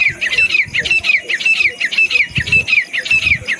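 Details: Grey francolin calling, a desi teetar: a steady series of harsh, slightly downslurred notes repeated almost twice a second, with low rumbling background noise.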